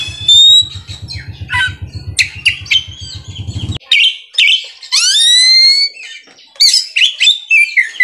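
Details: Kacer, the Oriental magpie-robin, kept caged and singing ngerol and nembak: a dense run of whistles and chirps, then loud rising slurred whistles, with a low rhythmic mechanical throb that stops partway.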